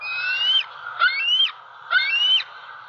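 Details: Three drawn-out whistled calls, each climbing gradually then dropping abruptly, about one per second, from a six-month-old female bald eagle calling for breakfast from her nest tree by a pond, Southwest Florida, 4 October 2020, with steady hiss behind.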